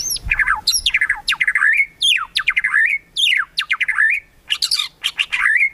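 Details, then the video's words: Kretekan song of the white-rumped shama (murai batu), used to provoke rivals: harsh, scratchy downsweeping phrases and buzzy squawks delivered in rapid bursts separated by brief pauses. "KRETEKAN MURAI BATU MEMANCING EMOSI, BIKIN LAWAN CEPAT GACOR EMOSI"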